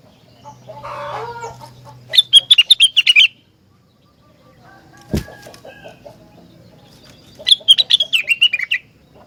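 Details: Rengganis song said to prompt other rengganis to answer: two quick runs of sharp, high chattering notes, each about a second long, separated by a quiet stretch with one loud click, with a low burbling phrase at the start.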